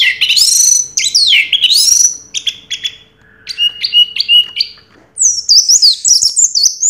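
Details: A champion Orange-headed thrush from 2022 sings loud looping whistles, then a series of evenly spaced mid-pitched chips, then a high, rapid tumbling warble.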